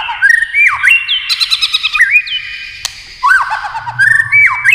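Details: A white-rumped shama delivers a varied competitive song of loud clear whistles, rising and falling slurs, and rapid stuttering high notes, with one sharp click midway and a faint low hum.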